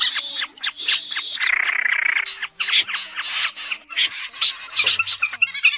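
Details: Snipe lure recording for August night net trapping, 2024: dense run of harsh, scratchy rasping calls and clicks, a sustained buzzy stretch early on, then irregular quick rasps in close succession, clean and loud throughout.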